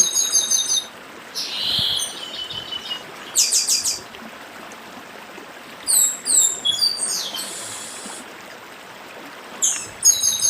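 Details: Repeated high buzzy and stuttering phrases, interleaved with sweeping chirps, from a chestnut-capped blackbird (papa-arroz do Nordeste) in its 'dedim' song, accompanied throughout by flowing stream noise.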